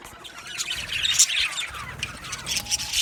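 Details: Colony of budgies in an aviary, Australian parrots, making a dense high chatter of scratchy chirps and squeaky warbles running continuously.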